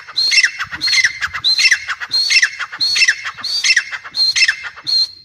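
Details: Grey francolin, described as chick calls: loud, grating notes with a sharp upper tone, repeated about every 0.7 seconds in an even series.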